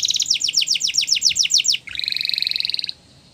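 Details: Singing canaries in the wild: a quick repeated phrase of high falling notes, roughly eight per second, then a buzzy sustained trill that stops abruptly into quiet.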